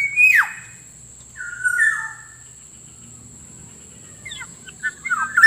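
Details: Black-naped oriole (kepodang) lure recording for attracting wild birds and tutoring caged ones: a sharp descending whistle, then a fluty slurred whistle, then a burst of short chirps near the end, over a steady high electronic whine.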